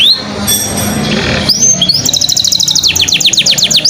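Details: Canary song played to stir other birds, male or female, into singing: sustained high whistled notes, then a rapid rhythmic trill of repeated chirps and sweeping slurred notes, loud and continuous, with faint low background hum.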